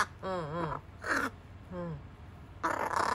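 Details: Young rescued carrion crow kept indoors, its voice breaking, chatting with its keeper as if talking: hoarse, wavering harmonic calls, falling then rising, two drawn-out notes with a rougher burst at the end, in a small room.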